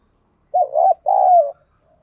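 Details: Caged decoy spotted dove used every day to stir up wild doves, delivering a crisp paired coo, a quick bumpy note and then a longer smooth coo sliding lower, in near silence.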